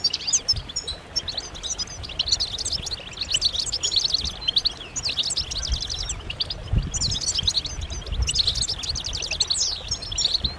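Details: A flock of European goldfinches in mating and readiness calls used to stir males into song. Dense bursts of high, tinkling twitters and chirps, in two long busy spells with a brief lull near the middle, over a faint low rumble.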